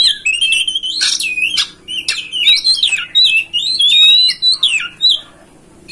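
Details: Oriental magpie-robin master song meant to make a kacer spread its tail and sing: rich continuous warbling with looping whistled notes, sharp clicks and squeaky slurs, brief pauses between phrases.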